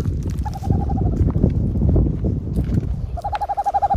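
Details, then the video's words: A screech owl, heard before it is seen on an outdoor hike at Cuyamaca, gives two quick, even-pitched tremolo trills, the first dipping slightly, over heavy low rumble and wind noise. "That sounds like a screech owl."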